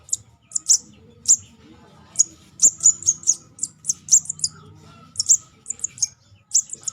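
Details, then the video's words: Juvenile sogon lure call: bursts of shrill high chirps, scattered at first and then coming quickly in runs of several notes, with steady low background hum. "Suara pikat anakan sogon."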